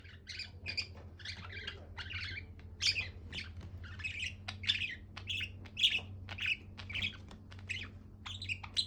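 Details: A happy budgerigar chatters in a steady stream of short, scratchy chirps and squeaky warbles, bursts coming several times a second, over a low hum.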